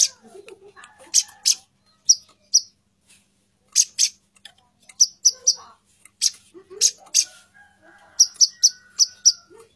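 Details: Female plain-throated sunbird calling to the male, very vocal: sharp, high, clipped chip notes in pairs and short runs spread through the clip, with faint low chatter in the background.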